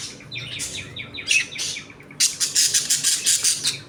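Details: Budgerigars in a home colony warble with soft descending chirps, then break into a string of loud buzzy squawks repeated about three times a second, overlapping voices throughout.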